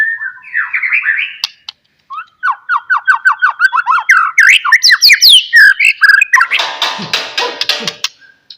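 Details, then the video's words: White-rumped shama song as a lure for other shamas, series of rapid downslurred whistles followed by varied fast phrases and a harsh rasping burst at the end. "DENGAR KICAUAN MURAI GACOR INI"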